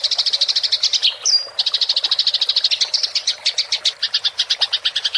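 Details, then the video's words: House sparrow giving a fighting rolling chatter (gereja tarung ngerol), recorded as tutor material for songbirds: fast, even run of bright high chirps, a brief whistled note near the one-second mark, then the rapid chatter resumes. "MASTERAN GEREJA TARUNG NGEROL suara jernih"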